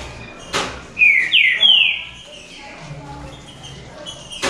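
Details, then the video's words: In a singing contest among three caged green-winged saltators, a brief phrase of two or three falling whistled slurs rings out, bracketed by sharp clicks or knocks. "TRIO NA DISPUTA ESQUENTE SEU TRINCA FERRO"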